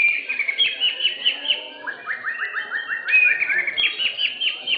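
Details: Caged white-rumped shama of the blorok class, first-place winner of session 7 at an Indonesian bird-singing contest arena, gives bright whistled phrases, then a fast run of repeated down-slurred notes, with another shama's song overlapping throughout.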